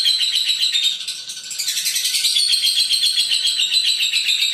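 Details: Long lovebird chatter in the 'ngekek' style, a continuous fast scratchy high-pitched trill with a short softer stretch near the middle before it surges again.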